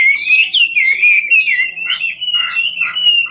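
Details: Ngũ trường Chinese hwamei, dancing as it sings, giving a steady flowing stream of high whistled warbles with fast slurred turns.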